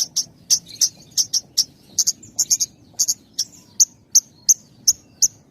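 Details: Branjangan (Javan bush lark) song with tight pauses, a lure for training raw and half-trained birds: short, sharp, very high chip notes repeated about three times a second at uneven intervals.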